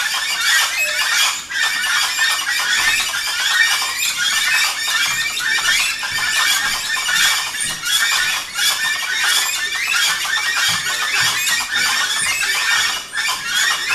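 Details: Chorus of gray-headed chachalacas calling noisily in the early morning at Rancho Naturalista, Costa Rica: harsh, raucous squawks from many birds overlap without pause for the whole stretch, rough and high-pitched.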